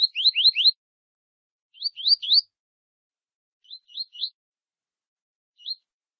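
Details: Double-collared seedeater, tui tui style, warming up with a female before a contest: an opening run of four rapid rising whistles, then groups of three, three, and one softer upslurred notes.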